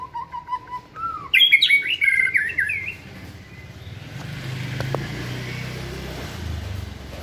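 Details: White-rumped shama in a flight cage during training sings a short burst of quick whistled and chattering notes, then falls silent as a steady low rumble of passing traffic takes over.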